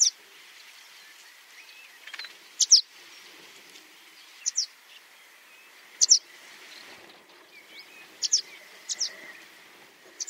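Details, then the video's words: Swallow in Russia heard in sparse, sharp high chirps, single or paired, every couple of seconds over a soft wash of outdoor noise. "Ласточка. Голоса птиц Росии"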